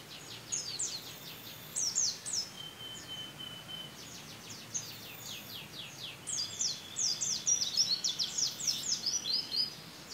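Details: White-eye kept in a cage, its song filled with canary phrases: a long, very high chattering of fast repeated chips and whistles, one steady thin tone held for a moment, then a dense, excited run of notes at the end.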